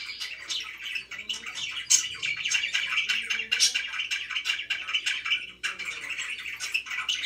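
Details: Budgerigars kept as pets chirp nonstop in a small room, rapid twittering and scratchy warbles layered together, with a few faint low sounds in the background.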